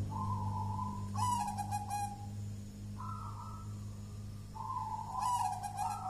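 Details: Jolotundo-style song of a local wild zebra dove, called thick and strong, fit for luring: mellow cooing notes in separate phrases, some stepping up or down, with sharp clicking bursts and a constant low hum.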